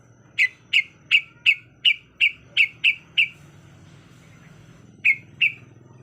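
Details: Female yellow-vented bulbul in breeding condition calling to males: nine sharp, bright chip notes in quick, even succession, then a pause and two more, over a faint low hum.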